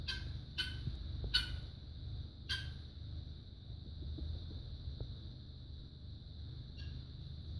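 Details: Mooncake, a male pet guineafowl in Australia, panics after being shut out of the bathroom while his owner showers: harsh, scratchy bursts, several in the first three seconds and one near the end, over a high whine and low rumble.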